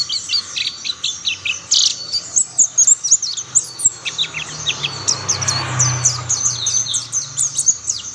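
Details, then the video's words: Mountain white-eyes singing, with others joining; bursts of sharp, high chirps and slurred notes at a brisk pace, a soft rushing sound and low hum in the middle part. "Tidak butuh waktu lama pleci Monty lain pasti ikut bunyi"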